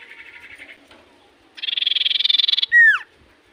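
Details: Common iora singing in full voice, said to bring replies from other ioras: a soft pulsing chatter, then a rapid rattling trill of about twenty beats ending in a loud, sharply falling whistle.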